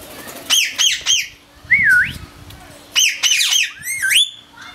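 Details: Pet Turquoise-colour Indian ringneck parakeet whistling: harsh, harmonic squawk-like notes in short bursts, then a clear smooth rising-falling whistle, repeated a few times over five seconds.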